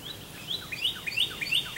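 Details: American goldfinch feasting on sunflower seeds gives a lively twitter of short upslurred whistled notes, tumbling one after another in a fast, slightly uneven series, with a clear, quiet background.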